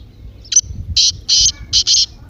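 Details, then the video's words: Close, loud partridge 'masti' call for stirring a silent partridge into song: one short harsh note followed by four longer grating bursts in quick succession, the last two nearly joined. "تیتر کی مستی والی آواز:اب خاموش تیتر بھی بولے گا"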